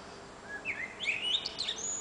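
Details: Nightingale singing on a summer June evening from an antenna perch: a faint, varied run of high whistled and sliding notes, with quick trilled bits, over soft steady background noise.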